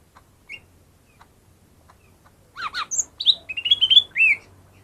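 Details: Lesser green leafbird (cucak ijo mini) song played to coax reluctant caged birds into singing: after faint scattered ticks, a burst of varied high whistles, slurred chirps and trills, rising and falling quickly, with a low hum beneath.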